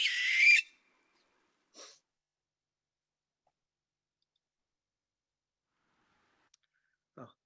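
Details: Barn owl, often heard screeching at night around a house in the Bay Area near Mount Diablo: one harsh, hissing screech lasting about half a second, then a couple of faint short sounds in near silence.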